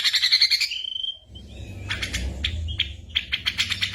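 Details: Ashy drongo song filled with mimicked bird sounds, used as a tutor recording for training songbirds such as white-rumped shama during moult: a high rising whistle, then a run of sharp clipped chirps and buzzy notes over low background rumble.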